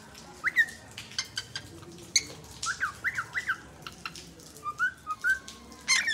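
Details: A cockatiel living alongside a green parrot gives short whistled and squawky calls, some rising, mixed with harsher parrot-like notes.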